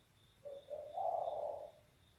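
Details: Spotted dove with a loud, bass voice: one soft phrase of two short low coos rising into a longer, fuller drawn-out coo, over a faint steady background hum.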